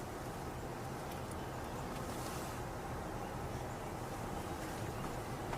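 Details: Continuous broadband rumble of a vehicle and wind, no animal voices audible.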